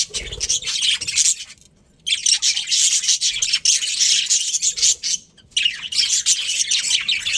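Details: Colourful budgerigars in a colony with a breeding pair: dense, scratchy high chirping and warbling chatter from many birds in two long bursts, broken by a short quiet gap near two seconds and another near five seconds.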